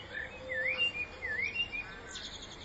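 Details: Common blackbird singing in spring: clear whistled phrases swooping up and down, a few sliding notes in quick succession followed by a softer high twitter, over light background noise.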